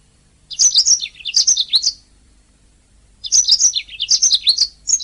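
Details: Canary song from a master recording for training songbirds: two bursts of rapid high twittering and sliding whistled notes, each about one and a half seconds, separated by a pause of just over a second.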